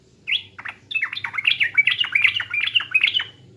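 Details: Sooty-headed bulbul, East Java, singing a pancingan lure: one sharp upslurred note, a pause, then a continuous cheerful string of jumbled liquid chirps and slurred whistles.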